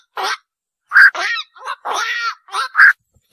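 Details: Rapid series of hoarse, grating croaks from a black-crowned night heron, several harsh squawks within three seconds, two of them louder and more tonal.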